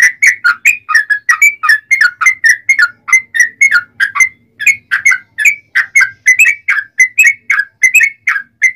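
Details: Long rolling 'ropel panjang' song of a yellow-vented bulbul, played to get other bulbuls singing: steady stream of loud, liquid, bubbling whistles, about three notes per second, almost without pause.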